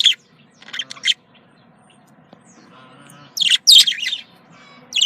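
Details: Pet budgerigars, male and female, making sounds meant to bring them into breeding condition: short bursts of scratchy, high chirps separated by quiet gaps, with a faint low hum beneath.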